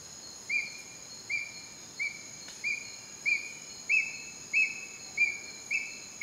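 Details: Juvenile ornate hawk-eagle (Spizaetus ornatus) at Heliconias, Upala, Costa Rica, gives thin high whistles about every two-thirds of a second, edging slightly higher, over a steady insect drone.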